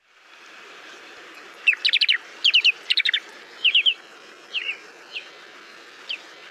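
Short-billed Dowitcher giving soft, mellow tu-tu-tu notes in quick triplets, then a few single notes trailing off, against a faint background hiss.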